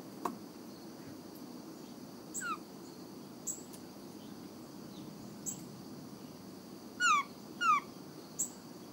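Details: A Blue Jay, possibly immature, at a platform bird feeder gives thin, whining calls likened to a whining puppy, slurring sharply downward, some in quick pairs, with soft clicks and a steady hiss.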